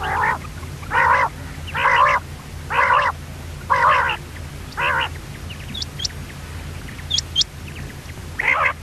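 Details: Common quail, described as a female, giving harsh, buzzy, nasal calls about once a second, six in a row, then a pause with a few thin high chirps from other birds and a final call, over a low steady hum.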